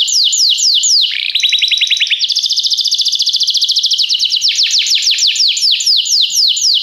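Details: Training song of a canary for teaching other canaries to sing: rolling series of fast, high repeated notes, first sweeping downward slurs, then a quicker rattling trill, then slower falling whistles again.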